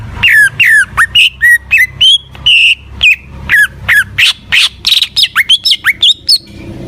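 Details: Greater green leafbird (cucak ijo) in vigorous gacor song: a steady run of loud slurred whistles and chirps, several notes per second, clear and fluty, with faint low hum beneath.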